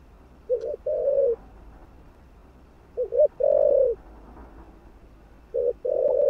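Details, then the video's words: Spotted dove giving stimulating coos: three low phrases, each a short double stutter followed by a longer, rounded hoarse coo, with silent pauses of about a second and a half between them. "Chim Cu Gáy Thúc Gù. Kích Mồi.Kích Bổi Cay Cú"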